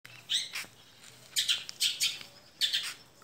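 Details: A young Long-tailed Shrike from Madura gives harsh, scratchy bursts of chattering song, four short phrases in about three seconds, high-pitched and grating over a quiet background.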